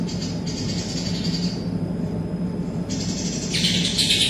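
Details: Greater green leafbird in full song, trained with a kapas tembak song fill; thin high bursts of bright trilling, one at the start and another near the end, over a constant low electrical hum.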